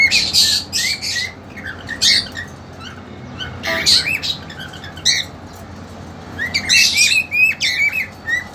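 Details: Caged pet cockatiels, a two-month-old female with an eager young male, give bursts of sharp high chirps and rising squawks, several notes in quick succession separated by short pauses, in a small indoor room.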